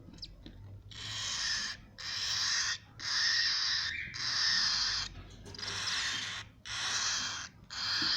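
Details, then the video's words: Cockatiel chicks giving harsh, hissing, broadband calls in long bursts of about a second each, separated by short pauses, repeated steadily through the recording. "فراخ طيور الكوكتيل"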